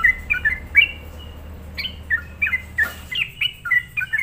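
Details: Sooty-headed bulbul lure song used to provoke other bulbuls into reacting; short clear whistled notes around mid-high pitch, each dropping or slurring, given in irregular bursts with gaps, plus one brief noisy burst near the end.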